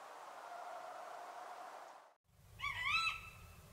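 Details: Tawny owl in Córdoba province: a steady hiss for about two seconds, then a sudden cut and one brief, rising, slightly wavering call near the end over low rumble.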